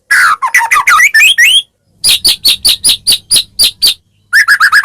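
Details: White-rumped shama song played to make other shamas respond: a tumbling run of varied rising whistles, then about ten evenly spaced sharp notes, ending in a quick rolling trill.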